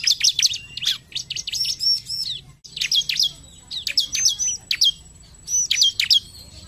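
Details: Bar-winged prinia song used to make birds start singing, rapid high chirps and quick down-slurred whistles delivered in clustered bursts roughly every second or two.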